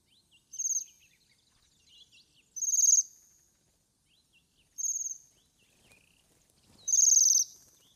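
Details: Bohemian waxwing, a Russian forest bird, giving high, sibilant trilled calls, four bursts about two seconds apart, with faint chirps between.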